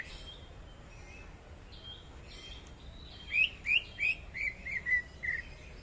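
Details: Greater green leafbird from Kalimantan singing energetically; soft faint notes give way to a run of about seven clear, short whistled notes, the first ones rising and the later ones falling, over low background noise.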